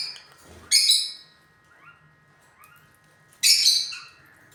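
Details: Pet lutino lovebirds: two loud, harsh squawks about two and a half seconds apart, each with a noisy high burst, separated by a couple of soft rising chirps and a faint low hum.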